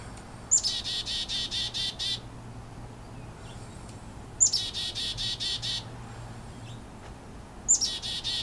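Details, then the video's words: Chickadee calls near a nest: three chick-a-dee calls, each a sharp, high opening note then a quick run of harsh, buzzy dee notes, repeated about every three and a half seconds. "chickadees calling"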